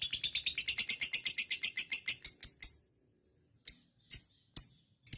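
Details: Lovebird long chatter, a quick, rasping string of notes that slows and fades after nearly three seconds, then a few isolated sharp chirps; recording played to spur other lovebirds to chatter.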